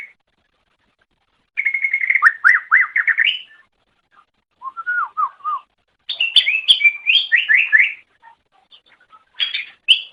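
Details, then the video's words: Greater green leafbird singing, recorded as master audio for training songbirds: quick rising and falling whistled notes in a run, a lower descending series, then a high chattering, warbled burst after short silences. "Ocehan Suara Burung Cucak Ijo"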